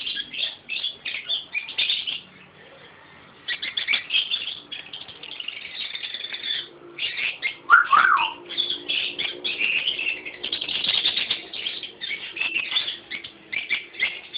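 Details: A sun conure gives rough, scratchy chirps and squawks amid the flutter of flapping wings during step-up handling.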